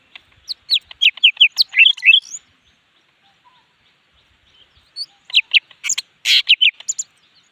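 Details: Leafbird in energetic full song: two rapid bursts of varied, sharp whistled and chattering notes, each lasting about two seconds and separated by a few seconds of quiet.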